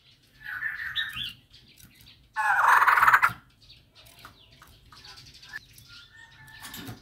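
A female white-crested laughingthrush gives a short, harsh chatter, then a louder, rasping burst of about a second. Faint scratchy sounds and low background rumble follow.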